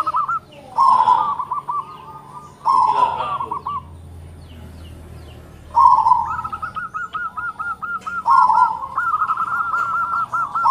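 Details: Local zebra dove with a powerful voice and close-set notes: several cooing phrases, each a strong rolled opening note followed by a long, rapid run of short repeated notes, separated by a brief quiet gap.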